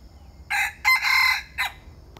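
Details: Bantam chicken crowing loudly and hoarsely in three parts: a short opening note, a long strained middle phrase, then a brief clipped ending, all within about a second and a half, over quiet background.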